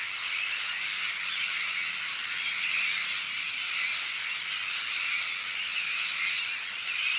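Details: A large Sandwich tern colony on a shell bank, with brooding birds, chicks of various ages and some adults carrying fish. A dense, unbroken chorus of high, grating calls overlaps steadily throughout, with no other clear sounds.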